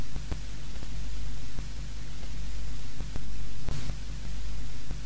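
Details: Loud static hiss and low hum with occasional crackling dropouts, and no birdsong.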